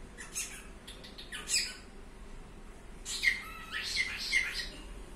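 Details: Pet cockatiel producing a burst of noisy chirps, then three crisp short whistled notes spaced roughly half a second apart, over low steady room noise.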